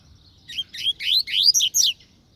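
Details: Double-collared seedeater song phrase of about eight loud chirped and slurred notes, each rising in pitch, delivered in quick succession.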